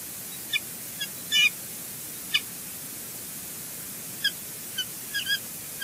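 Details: Bald eagle eaglet at the Two Harbors nest on 11 April 2020, being fed an unknown dinner by its mother: short, thin, high chirps given singly and in quick pairs at irregular intervals over steady background hiss.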